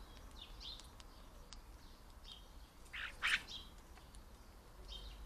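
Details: European starling imitating the calls and songs of other birds: faint scattered chirps and short whistles, then one loud harsh burst in the middle, with steady low background noise.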